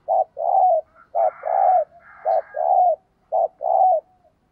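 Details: Spotted dove used as a caged decoy, cooing thúc gù to excite wild doves: a brisk short-long coo pair repeated four times, each long note slightly falling, with a faint higher buzzy sound overlapping the middle.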